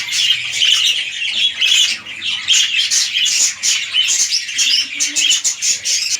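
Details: Red-eyed lutino budgerigars kept as a breeding pair indoors; continuous shrill warbling and squawks in rapid bursts, rising and falling in loudness every second or so, with a faint low hum early on.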